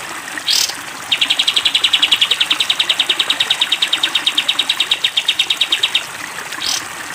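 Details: Cage-bird training track of a sooty-headed bulbul in 'tembak panjang' style: a five-second train of quick, regular, high repeated notes framed by brief rising sweeps before and after, against constant hiss.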